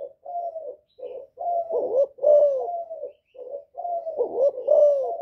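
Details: Spotted dove calling to provoke rivals in the "giọng thổ" style: continuous low cooing phrases, each with a louder, downward-bending coo, repeated about every two seconds.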